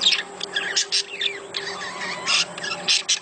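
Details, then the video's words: Budgerigar mating sounds meant to encourage breeding: soft rambling warble with scratchy bursts and short sliding whistles, continuous over a low steady hum. "صوت تزاوج العصافير الاسترالي محفز ليهم"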